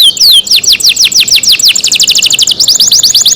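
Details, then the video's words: Canary cared for at home, delivering a loud, continuous tour of high whistled notes, each swooping downward, repeated very quickly and evenly for over three seconds. "canary Nice sound"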